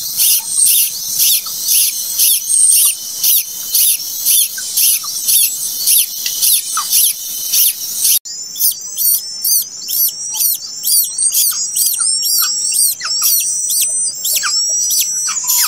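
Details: A plaintive cuckoo chick, hatched late, hisses in rapid regular bursts about twice a second for several seconds, then after a cut gives rasps mixed with thin, high, drooping whistles.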